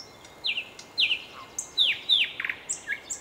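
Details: Loud nightingale song made of clear whistled notes that drop steeply in pitch, given about every half second, with a quick stuttered triplet and thin high notes in between.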